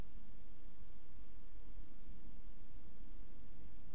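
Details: Only a constant low hiss and rumble are heard, with no calls or other animal sounds.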